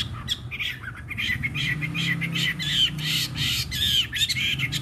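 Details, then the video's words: Caged wild-caught fighting Chinese hwamei, three seasons kept, singing on a table with slight hoarseness; coarse, breathy rasping phrases with occasional clear whistled slurs, continuous, above a low background hum. "Họa mi chiến 3 mùa lồng hót để bàn"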